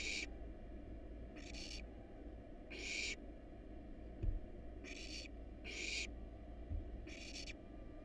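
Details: In a monitored nest box, wild barn owl chicks feeding on a rat and rabbit hiss insistently: seven rough, noisy bursts in eight seconds, with a couple of faint knocks amid a low hum.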